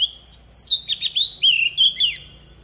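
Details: Forest-style song of an Oriental magpie-robin decoy used to train young birds' voices: clear whistles rising and falling, mixed with a harsh scratchy middle section and fluty slurred notes in a steady run.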